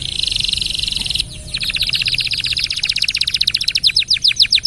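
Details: Long-winded canary song used to train other birds: a steady high buzzy trill, a brief pause, then a long rapid series of pulsed notes that slows into separate down-slurred chips.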